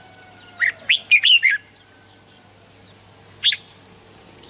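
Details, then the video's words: Red-whiskered bulbul song used to set birds singing: one quick cluster of bright whistled notes, then a single later note, against faint high twittering from other birds and a low hum. "เสียงนกกรงหัวจุก สำหรับต่อ หรือ เปิดให้นกคึก เสียงเพราะๆ"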